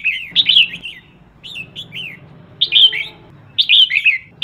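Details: A female red-whiskered bulbul gives scattered chirpy, falling whistles, a few single notes then fuller warbled bursts, calling to stimulate males; a soft low hum runs underneath.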